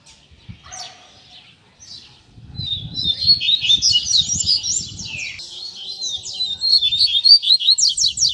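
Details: Double-collared seedeater tutor song used to teach young birds and stir a bird's fighting spirit: after a quiet start, a fast high warbling run of buzzy trills and sweeping notes, with low rumbling background noise.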